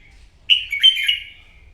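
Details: Red-whiskered bulbul, wild-caught, in a morning singing contest: a loud, sweet whistled phrase that starts abruptly, dips, and ends in a fluttering trill, against a quiet low hum.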